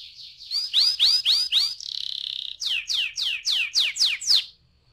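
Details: Loud canary song of strong, downward-sweeping whistled syllables repeated about four per second, broken by a steady buzzy trill in the middle, then more sweeping notes.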